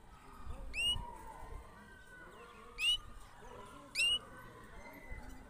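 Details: European goldfinch kept in a red cage gives three sharp, rising whistled notes, spaced one to two seconds apart, over a low background hum.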